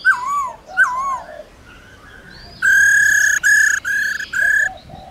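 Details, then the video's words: A laughingthrush sings forest style to call wild birds, accompanied by a female: two swooping whistles, a pause, then a string of loud, steady, harmonic-rich notes in short bursts. "Khướu Hót giọng rừng RÉO GỌI BỔI KÈM KHƯỚU MÁI RO RO kích khướu bổi hót líu lo"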